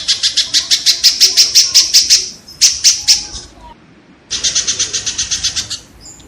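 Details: Kingfisher recording meant for tutoring cage songbirds: a rapid run of rasping notes, roughly three per second, then a brief burst, a silent gap, and another rasping series.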